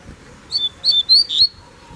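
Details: Double-collared seedeater carried on an outing without a cage, giving a brief burst of four high, clear whistled notes, the last one slurred, within about one second.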